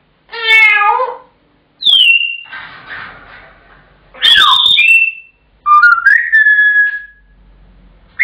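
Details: A pet African grey parrot shouts with four loud calls about two seconds apart, a harsh stacked squawk then sliding whistles, in a quiet indoor setting; he does this when his owner gets home until fed, and whenever the owner leaves the room.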